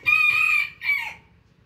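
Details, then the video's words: Morning crow of a rooster: a strong, harmonic cock-a-doodle-doo, a long sustained first part then a shorter falling ending, over a quiet background. "rooster crowing sound effect"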